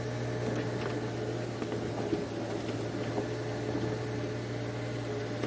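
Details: A steady low engine hum with faint mechanical rattles runs throughout, and no animal calls can be made out.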